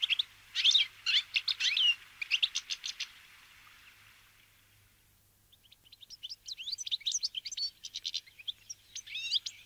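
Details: Wintering Brambling flock (Fringilla montifringilla) eating sunflower seeds at a feeder: bright chirping bursts at first, a quiet gap of about two seconds, then softer, denser twittering from several birds.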